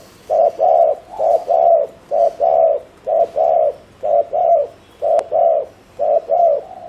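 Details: Speedy cooing by a spotted dove used as a decoy; evenly spaced pairs of deep, breathy coos run through the whole stretch, with one sharp click.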